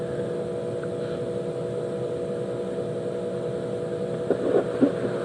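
A steady vehicle engine drones throughout, with a few brief knocks or muffled voices near the end and no animal calls.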